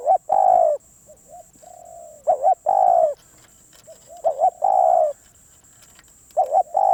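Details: Spotted dove, a wild-caught bird called very persistent, repeating its phrase three times: quiet short coos, a loud two-pulsed note, then a long hoarse falling coo.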